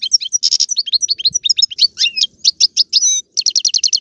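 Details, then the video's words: Algerian European goldfinch singing in galoubi, serfati and mandolin styles: quick twittering notes, a short buzzy burst, swooping slurred chirps and a closing run of evenly repeated trill notes. "مقنين طيواواطي قالوبي و سرفاتي, هذا الحسون ليس له مثيل"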